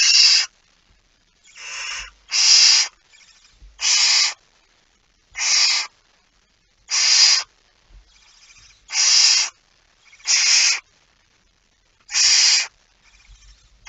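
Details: Barn owl at the nest at feeding time, early on 19 September 2019: a long series of short, noisy hisses, about ten bursts in fourteen seconds, unevenly spaced, some quieter than others.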